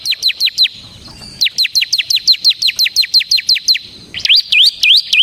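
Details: Ciblek semi, the bar-winged prinia, in nonstop 'ngebren' song meant to draw out and tutor cage birds: a long run of quick, piercing downslurred notes, then a few looping whistled notes at the end.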